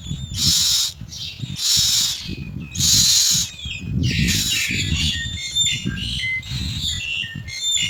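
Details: Common mynas foraging for insects to feed their young give three harsh, hissing screeches about a second apart, then a jumble of chirps, whistles and chattering notes, over a low rumble of wind.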